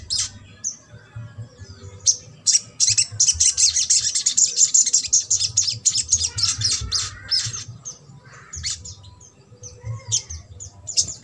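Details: Little spiderhunter giving a trotol song to encourage a reluctant bird: intense rapid high chattering for several seconds, then scattered sharp chirps as it tails off.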